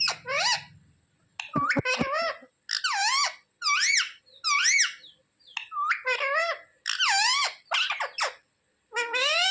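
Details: Pet parrot talking, asking mummy for roti: a steady string of separate nasal syllables with dipping, rising harmonics, some sharp clicks early on, and a brief low murmur at the very start.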